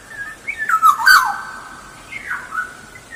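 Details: Black-naped oriole lure song: a rolling whistled phrase with a harsh rasp in the middle, then a softer, descending fluty reply.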